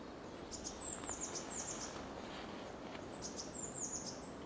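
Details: Semi-collared flycatcher, the first accepted Dutch record, filmed 7 May 2021 in the Netherlands and DNA-confirmed: thin, very high sibilant notes strung into short chirping bursts near the start and again near the end, over faint background hiss.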